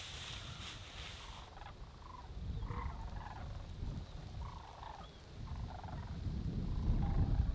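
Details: Distant Sandhill Cranes in Alaska in autumn, before winter, give rolling, rattling bugles in short bursts every second or so, half buried under a steady low rumble of wind.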